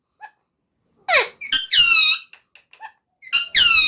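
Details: Shrill squeaks and a drawn-out, buzzy harmonic squawk from a talking parrot, followed by a short pause and another rising burst of squeaky notes.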